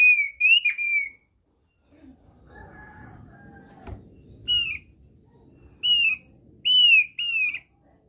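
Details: Thick-billed white-eye, played as a lure to draw birds into song: loud, clear, arching whistled notes, a pair at the start then several more after a pause, with faint low rumbling background noise and a brief knock in between.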